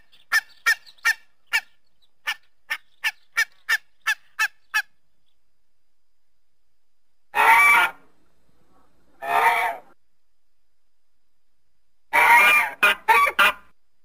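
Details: Goose calling: a rapid run of about a dozen short, sharp honks over five seconds, then a silent gap followed by longer, harsh, drawn-out honks, the last ones in a quick cluster.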